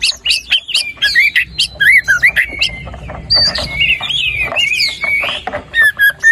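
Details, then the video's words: Energetic white-rumped shama singing, meant to prompt a lazy bird to start: loud looping whistles and chirps in quick succession, a rich warbled stretch in the middle, and clear whistled notes at the close. "PANCINGAN MURAI BATU GACOR ! BONGKAR ISIAN ! NAIKAN MURAI BATU MALAS BUNYI AGAR CEPAT GACOR !"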